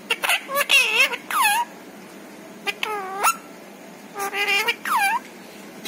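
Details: Pet parrot talking, a bird whose stated vocabulary includes papa, mummy and asking for roti; several short voiced, speech-like syllables with bending harmonic tones in bursts, pauses between phrases, quiet room background.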